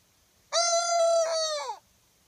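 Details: Polish crested chicken, a hen that recently started crowing and seems to be a rooster: a single sustained crow lasting just over a second, steady and slightly rough, falling at the end, with quiet surroundings.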